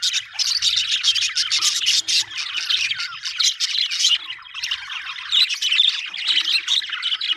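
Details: Happy budgerigars pouring out fast scratchy chatter and squeaks, nearly unbroken, with brief quieter gaps.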